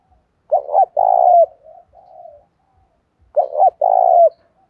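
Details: Spotted dove in the 'đồng pha' style, singing to goad rivals into fighting. Two resonant coo phrases, a rapid double note then a long steady tone, the first followed by soft, quieter trailing notes.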